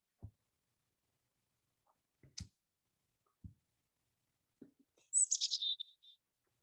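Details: Black-capped chickadee's chick-a-dee-dee call with an extra terminal dee, signalling a mild threat such as a perched raptor: thin, high opening notes dropping into buzzy, harsher dee notes, about a second long, after a few soft knocks.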